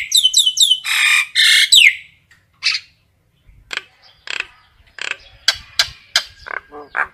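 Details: Common myna calling the flock with fast repeated squeaky notes, loud harsh raspy squawks, and a slurred whistle, then scattered clicks, gurgles and chatter.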